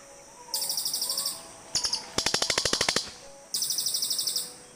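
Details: Several cililin birds answering each other with fast, harsh, clicking trills, each burst a run of about a dozen sharp pulses, bursts overlapping and following closely one after another.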